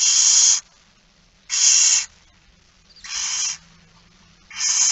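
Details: Begging barn owl at a dawn feeding, 06:57 on 13 September 2019, giving a steady series of four harsh, broadband hissing screeches about every one and a half seconds.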